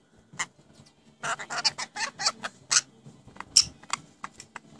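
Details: Newly kept pet rainbow lorikeets talking: a quick run of short, harsh, speech-like syllables after a soft opening note, then sparser sharp chirps and squeaks over a quiet low hum.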